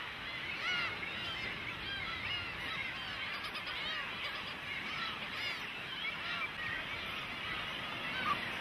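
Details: Several young cormorants beg insistently from parents for food: a dense chorus of wavering, harmonic squealing calls rising and falling continuously, with many voices overlapping.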